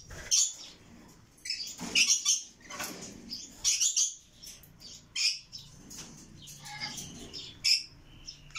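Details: Red lory chicks making scattered short rasping, squeaky calls, some sharp high chirps, in irregular bursts with quieter pauses between.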